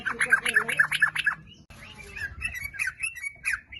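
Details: Sooty-headed bulbul in lively song, meant as a lure to make others sing: about five loud, quick, bubbly notes in a row, a brief pause, then softer scattered chirps and whistles.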